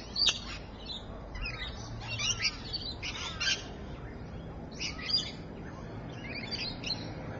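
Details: Rainbow lorikeet recorded at Evans Head, 3:45 PM, 26 May 2012: short, harsh, scratchy screeches in uneven clusters about a second apart, with a sharp shrill note at the start and steady background hiss.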